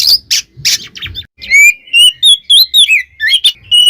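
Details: Oriental magpie-robin song provoking other magpie-robins: a few harsh broadband notes, then a clean sequence of loud whistled slurs repeated roughly twice per second.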